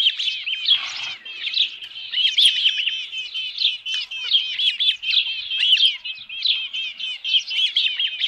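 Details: Osprey calling at the Dunrovin Ranch nest, 27 June 2018, near midday with a headless fish; an almost unbroken stream of sharp, high whistled chirps, rapidly repeated in quick series.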